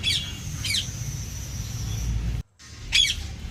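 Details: Parrot uttering three short harsh squawks spaced apart, over steady low background rumble.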